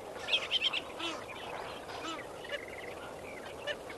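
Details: A flock of lesser flamingos calls at sunrise at Kamfers Dam, 18 May 2024. Three quick, clear honking notes open the recording over a busy background of softer gabbling from many birds.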